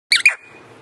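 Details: Caged pet Alexandrine parakeet, said to be hungry, giving a sharp double squawk, two quick loud harsh notes with a thin ringing tail, followed by a woman saying in Hindi that the parrot is hungry and calling it over.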